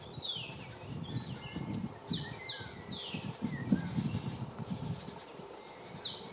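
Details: Male Great Tit in March 2015 at Jarun in Zagreb, Croatia, giving a loose series of quick, high, down-slurred notes, some in pairs, over steady low-pitched background noise.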